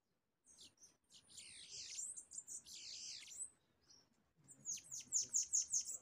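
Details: Bananaquit during a trapping and fighting session, a wild pair coming in to fight a caged bird: a dense stretch of high, sibilant, buzzy trills, then a quick run of about six sharp, ringing high notes.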